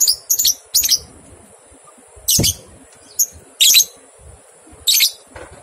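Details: Training recording of lovebird ngekek for two-month-old juveniles: quick paired scratchy notes at the start, then spaced harsh chattering bursts with irregular gaps, against a constant high hiss.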